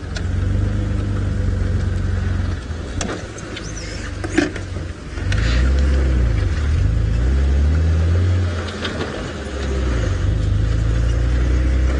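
A vehicle engine idles and revs steadily, with no animal calls heard.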